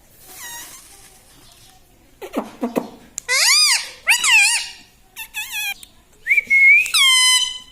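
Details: Green pet ring-necked parrot kept indoors, mimicking words: bursts of bright harmonic vocal sounds with arching pitch, a low murmured phrase early on, then several loud rising-and-falling syllables and a long held tone at the end.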